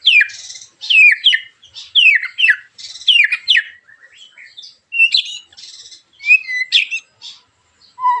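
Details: White-rumped shama giving sharp, rough 'tembakan' song to draw other shamas into singing: rapid repeated phrases of high falling whistles mixed with buzzy notes, roughly one burst each second, ending on a lower whistle.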